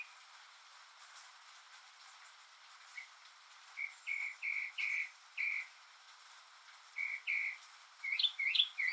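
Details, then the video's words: A northern mockingbird, alone on a rainy day, sings its mimicking song. After a quiet start come short, harsh, buzzy notes in loose series of about two per second, ending in a louder run of sharp, rising whistled chirps. "マネシツグミの「雨に唄えば」Mockingbird's "Singin' in the Rain"!"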